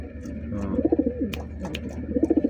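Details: Pigeon said to be good enough for a cooing contest, giving two bursts of rapid, throbbing low coos over a noisy indoor background with scattered clicks and knocks.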